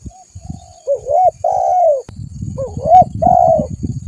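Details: Spotted dove in vigorous voice for a trapping lure: two phrases of soft, hollow coos, each a curled short note and a longer sustained one, over steady low rumbling and knocking noise.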